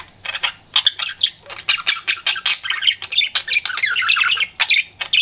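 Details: Flirting pet budgerigar chattering in quick squawky pulses that run together into a continuous warbling stretch midway, then break back into sharp separate chirps.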